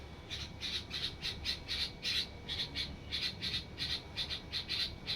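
Red-vented bulbul chicks give harsh, raspy squawks in quick bursts, about two or three per second, with a low background rumble.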